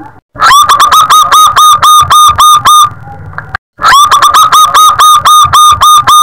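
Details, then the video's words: A local zebra dove, kept as a lure or tutor bird, gives loud, rapid staccato coos with long phrases, about four notes a second, in two long runs split by a short break. "Perkutut lokal gacor suara besar - LUK PANJANG"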